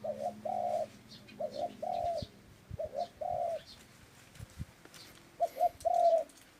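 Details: A dove coos in paired units, a clipped double note leading into a drawn-out coo, repeated several times with a pause midway; soft clicks and faint twittering of other birds behind.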